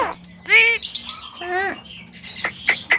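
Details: Javan myna mimicry with speech-like harmonic phrases, two drawn-out nasal calls, then sharp clicks and chatter; a person greets the bird nearby.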